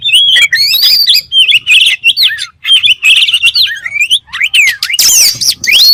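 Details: Oriental magpie-robin (kacer) song with loud, sweet, up-and-down whistles and short chattering bursts, ending in a harsh, noisy flurry and a final rising whistle.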